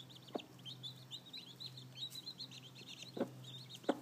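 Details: Newly hatched domestic chicks, seven of them with a brooding hen, give a steady stream of high, short arched peeps. They overlap almost continuously, with a few soft low knocks between them.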